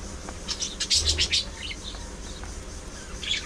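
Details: Budgies chirp in a quick cluster of high squeaky notes, then softer scattered twitters follow, with one more chirp at the close.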